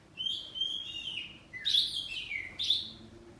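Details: Oriental magpie-robin kept at home, the kacer poci type, singing boldly in reply. Three clear whistled phrases: a long sliding whistle, then a descending slurred note and a loud bright burst.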